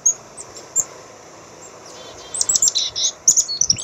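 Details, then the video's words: Black-capped chickadee with scattered high, thin chips, then a soft buzzy note and a cluster of bright twittering notes near the end. "black cap chickadee bird"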